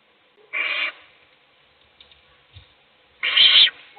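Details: Owl giving food to one chick while the other chicks sleep; two loud, rough, hissing screeches roughly three seconds apart, with faint scuffling between them.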